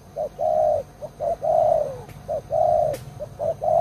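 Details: Caged spotted dove used as a long-serving lure bird for catching wild doves, cooing loudly in quick paired phrases, short clipped notes leading into long, full, slightly falling coos.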